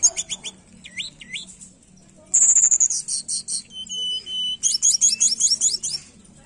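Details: Tledekan song used as a lure for a bird that is lazy to sing: quick high chips, upswept whistles, a loud rapid trill, then buzzy repeated notes in fast succession.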